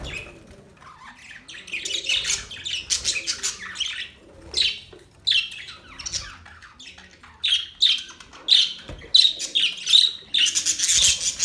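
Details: Budgie chatter starts soft and sparse, then builds into louder, harsh squawks and chirps in clustered bursts, ending in a noisy, dense outburst.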